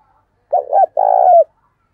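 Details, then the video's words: Spotted dove used to lure wild doves gives one clear loud coo phrase: a throaty rolling first part and a long burred, slightly wavering hoot that drops at the end, set in silence. "Chim Cu Mồi gáy Gọi Bổi, mở lên bổi nghe gáy liền"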